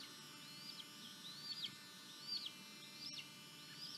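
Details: Leucistic red-tailed hawk at a nest in Tennessee, 18 June 2023, as prey is delivered: thin, high whistled notes that climb then slur down, repeated roughly once a second over a faint steady hum.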